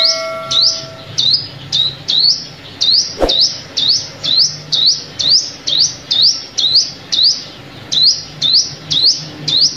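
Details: Lure recording of a sunbird for trapping: a long run of about twenty high, upward-sweeping chirps at a quick steady pace, with a faint tonal hum at the start and one sharp click midway.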